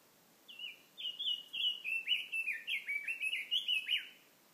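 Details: Bird song: a fast string of bright, down-slurred chirps, starting with short higher notes then pulsing evenly about three per second before trailing off, set against a quiet continuous hiss.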